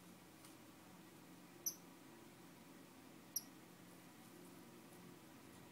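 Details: A star finch's high, thin squeak sounds twice, under two seconds apart, each note short and clean with a faint upper overtone; a constant low hum fills the background.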